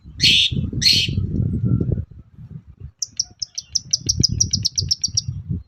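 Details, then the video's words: Long-tailed shrike singing in the morning, a lure meant to make other shrikes answer: two harsh, buzzy rasps, then a quick run of about fourteen thin, high ticking notes over two seconds, over a low rumbling background. "BURUNG CENDET GACOR PAGI HARI BIKIN CENDET MANAPUN LANGSUNG NYAUT"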